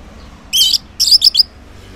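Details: Orange-headed thrush song recorded in the morning as a lure to get silent males to answer: two bursts of high, rich twittered phrases, the second broken into several quick chattering notes.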